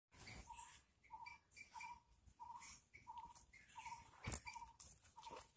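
A brown-headed barbet gives about nine short, hollow, mid-pitched notes, one roughly every half second, with clicks and rustling close by.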